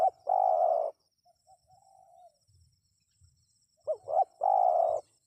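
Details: Spotted dove calling to make wild birds respond. Two long steady croons frame a quiet stretch of faint soft notes, and the second croon is led by a pair of short rising coos. A faint high whine runs throughout.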